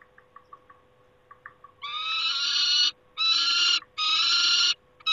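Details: Peregrine falcon at a nest site, 28 August 2021. Soft clicks and ticks give way to three loud, raspy screams of about a second each, repeated at roughly one-second intervals.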